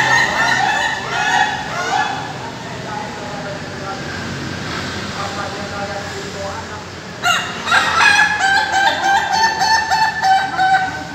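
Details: Ayam Ketawa rooster crowing during a practice contest in Bogor, Indonesia: a stuttering laugh-like crow, then a noisy stretch of background chatter and speech, then another burst of rapid repeated laughing notes.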